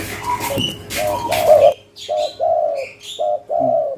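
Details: Local spotted dove calling actively in the cetrekan style: a run of mellow, mid-pitched coos, each a short swelling note, repeated about once a second, with a few faint chirps and clicks near the start.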